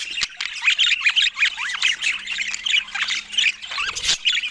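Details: Pet budgerigars eating fruit give lively warbled chatter, rapid bright chirps with a few clear downward-sliding whistles, repeated in short bursts with brief pauses and a faint low hum.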